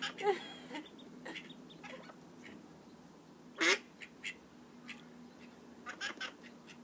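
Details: Call duck ducklings giving a few short, high peeping calls, one burst near the start and a louder one midway, amid soft scattered clicks and taps over a steady low hum.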